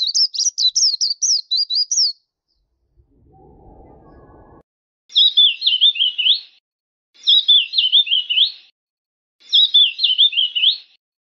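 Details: Black-capped white-eye song for gacor masteran: a fast string of high twisting notes, a silent stretch with brief low noise, then three separate phrases of slightly lower, jerky zigzag notes.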